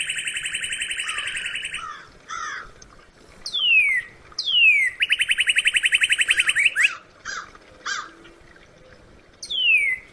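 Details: Northern cardinal song: a fast buzzy run of repeated notes, then two loud whistles sliding steeply downward, a second rapid rattling series, and a final down-slurred whistle.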